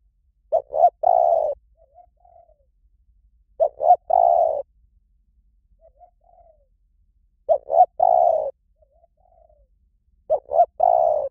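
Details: An Asian koel calls for daily training playback meant to stimulate captive koels: loud, mellow mid-pitched phrases of two or three quick notes and a longer drawn note, repeated every three seconds, with soft notes between.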